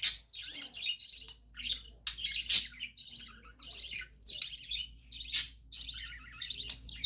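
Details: Budgerigars in captivity in a bird room: continuous soft warbling chatter of buzzy notes, clicks and short whistles, with a faint low rumble beneath.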